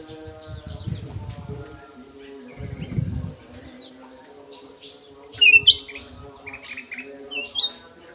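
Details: Golden-fronted leafbird in an aviary with scattered soft phrases, then a loud burst of bright whistles and chatter, followed by further whistled notes; low thumping noises early and a constant hum.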